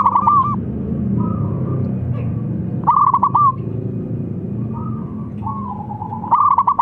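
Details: Zebra dove of a local strain calling, a rival responding straight away: repeated rapid stuttering coo phrases with softer drawn notes from a second bird in between, over a low murmuring background.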